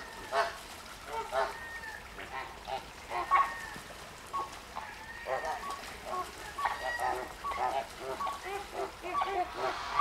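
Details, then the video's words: Flamingos at the Llanelli Wetland Centre in Wales, August 2021, heard at some distance giving repeated soft nasal honks at irregular intervals over a low background murmur. "Noisy flamingos"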